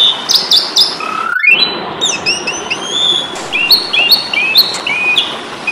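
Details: Asian pied starling in fighting mode, used as a training recording for songbirds: a rising whistle sweep, then a busy run of clear whistled notes and chattering slurs at varied pitches.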